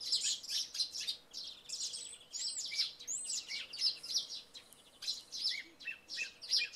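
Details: Song thrush in full song at early morning following night rain, with sparrows chirping alongside. Dense high twittering is mixed with repeated whistled phrases and rising slurs.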